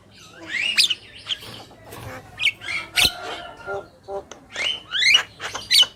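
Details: Javan myna male and female chattering: varied rising squeaks, whistled slurs and scratchy notes spaced irregularly, moderately loud throughout.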